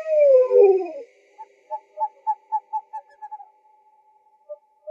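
An owl gives a loud, falling, quavering whistle, then a quick run of about eight short, mellow toots, roughly four a second, before trailing off into a few spaced notes.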